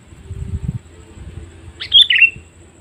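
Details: After low rumbling background noise, a sooty-headed bulbul gives one quick phrase of high notes dropping into a lower chatter, a call used to attract wild birds.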